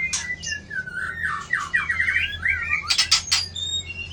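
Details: White-rumped shama with a 24 tail flicks its tail to threaten a rival. It sings a flowing run of whistled notes that wave up and down, broken by a few sharp harsh bursts, over a low hum.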